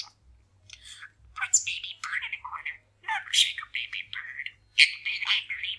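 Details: Male pet parakeet chattering and mumbling while practising new sayings indoors: rapid, scratchy, high-pitched speech-like syllables in bursts, with brief pauses and clicks.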